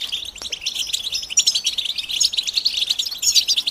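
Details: European goldfinches call together in mating and readiness calls meant to make males sing. Over a short stretch, rapid, high, sparkling twitters rise and fall in quick overlapping bursts.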